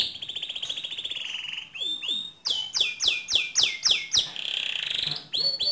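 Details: Lively canary song for training other canaries: a sustained rolling trill, then a series of loud downward-swept whistles repeated about three per second, and another trill with closing swept notes.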